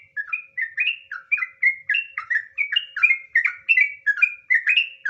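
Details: Energetic sooty-headed bulbul song in the long ropel style, used to coax other bulbuls into song: continuous fluty whistles in quick paired slurs, about three to four per second, evenly loud with no other sounds.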